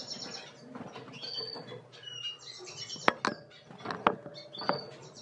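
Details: Yellow-rumped siskin (Carduelis uropygialis) twitters in quick, high chirps and short warbled phrases, broken by several sharp clicks and a flutter of wings.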